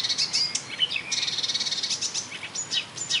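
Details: Marsh warbler copying other birds, recorded in May 2013 on a railway embankment at Bernau-Friedenstal; a fast jumble of high buzzy notes, short whistles and thin rising and falling phrases.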